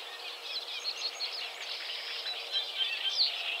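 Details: Eurasian reed warbler song: rapid, grating chatter of short notes tumbling along about four per second, steady rhythm with slight swells in loudness, and a thin high squeak near the end.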